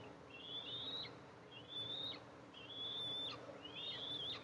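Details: Eastern imperial eagles at a nest fitted with a camera, July 14, 2024, as the mother arrives to feed her two eaglets. Four thin, high whistles, each rising slightly and ending in a short downward flick, come about once a second over a low, steady hiss.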